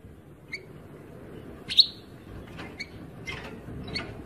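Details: European goldfinch song fragment: a few scattered high chirps with one loud, sharp, downward-sliding note in the middle, then softer twittering notes, against a quiet low rumble.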